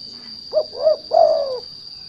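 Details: Spotted dove (derkuku, tekukur) kept as a lure bird to provoke untrained doves into singing: a single soft cooing phrase of two short low notes followed by a longer drawn-out falling coo, over a steady high electronic whine.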